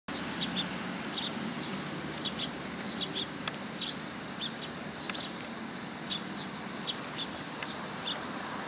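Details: Willow tit coming to take food at a Tenmangu shrine on 1 September 2022, giving thin high chips, scattered irregularly, often in short pairs, over a steady low background hum.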